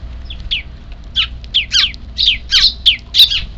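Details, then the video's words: Eurasian tree sparrow chicks of a semi-wild neighbourhood flock in Japan, calling before an evening feeding on 3 April 2024; high, scratchy chirps come in quick uneven succession, about ten notes, each sliding downward, over a faint low hum. "ヒナ特有の鳴き声が聴こえたので 夕ご飯投入"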